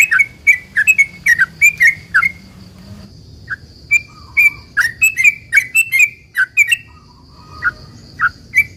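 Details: Sooty-headed bulbul in long 'ropel panjang' song, a lure to get other bulbuls calling: bursts of quick chirps, a lull with scattered single notes, then another rapid flurry and sparse notes at the end.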